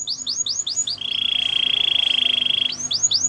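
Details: Gloster canary gives a few rapid falling whistled notes, holds a long, steady, buzzing trill for nearly two seconds, then returns to quick downward slurs, with faint background hum.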